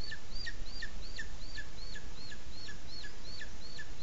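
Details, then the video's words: Booted eagle at a nest webcam in Sierra de Guadarrama National Park, Spain, as the chick is presented to the male: a rapid series of high, thin, downward-hooked squeals, about three per second, steady through the clip. "Presentación oficial del pollito al macho-Águila calzada"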